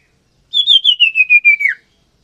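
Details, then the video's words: Common iora, male and female in captive breeding to pair and lay eggs: one long whistled phrase of seven linked notes, slowly descending in pitch and ending in a downward slur. "Suara Burung Cipoh Jantan Dan Betina Gacor"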